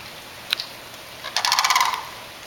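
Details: A crane in a neighbourhood gives a brief rolling, rattled call of about a dozen quick pulses over half a second, after a single sharp click.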